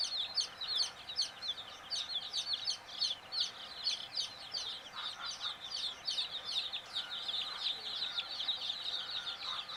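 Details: A brood of hen's chicks dozing off, continuous high-pitched peeps, short falling notes overlapping densely and evenly for the whole stretch.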